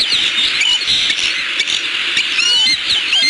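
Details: Bald eagles at a nest in Southwest Florida on 14 December 2015, mid-afternoon, calling out at a nearby intruder, captured by a nest camera: thin, high whistled chirps and short rising notes over a steady hiss.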